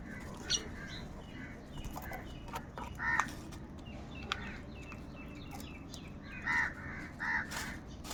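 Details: A large flock of crows fighting for food. Scattered harsh, short caws rise above a constant noisy hubbub, with clusters near the middle and toward the end. Clicks and rustling run throughout.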